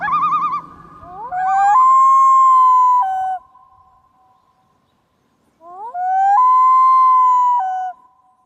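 Common Loon giving two long, mournful wails, each sliding up, holding a pure steady note for over a second, then dropping; a brief wavering tremolo precedes them.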